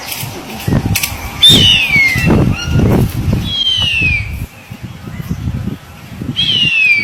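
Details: Three thin, high whistled wails from a harpy eagle, each gliding downward over about a second, spaced a few seconds apart, with frequent low thuds and rustling throughout.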